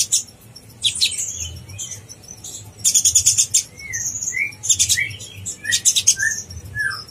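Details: Konin blorok song recorded to stir up contest sunbirds: clusters of piercing high ticks and trills alternate with short, sweet upslurred and downslurred whistles spaced about a second apart.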